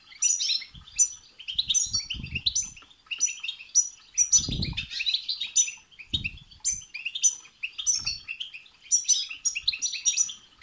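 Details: Long stretch of goldfinch batbata and satsata song to stimulate a goldfinch: excited, nonstop twittering with repeated sharp high chirps, and several low thumps of wings or cage bars.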